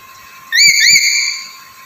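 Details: A black-capped lory gives two quick rising whistles in a row, the second running into a long, steady bright tone that fades away.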